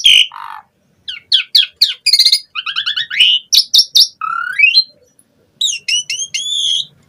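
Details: Asian pied starling pouring out full 'gacor full isian' song: a loud squeal, low rasp, quick ticking chips, buzzy stacked notes, a rising whistle and a final series of wavering squeaky phrases after a short pause.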